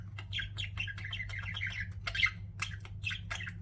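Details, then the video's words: Pet budgerigars warbling: a continuous stream of soft, squeaky chirps and chattering notes with clicks, low in volume over a constant hum. "CUTE PET BUDGIES CHIRPING"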